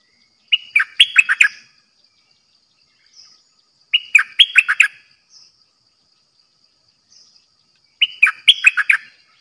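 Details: Dok taeng style song of a red-whiskered bulbul used as a trapping decoy: three near-identical phrases of five or six fluty, bouncing notes, repeated about every three and a half seconds, with faint soft chips between them.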